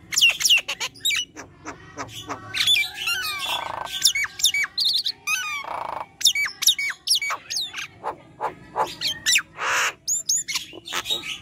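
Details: Vigorous 'gacor' singing of a Nias hill myna, aimed at getting silent mynas to sing: rapid hooked whistles alternating with rasping, noisy squawks and cracking clicks.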